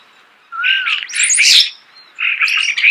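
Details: Nearby starling singing after a moment of quiet: a clear upslurred whistle leads into loud, harsh, chattering warbles, then a second scratchy burst.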